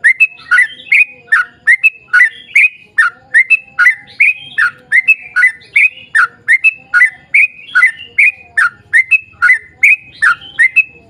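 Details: Yellow-vented bulbul in full song, used as a lure to get other bulbuls singing: long run of bubbly, liquid whistled phrases repeated quickly, about two or three per second, steady and loud with little background.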